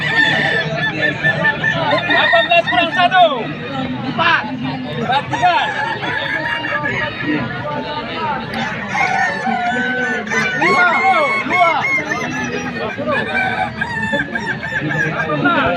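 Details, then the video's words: Kukuak Balenggek roosters crowing at the Walikota Cup 2024 crowing contest at the Padang mayor's office, with long, tiered, rhythmic crows overlapping from several birds amid a noisy crowd and human voices. "Ayam Kukuak Balenggek Terbaik Bertarung di Padang!"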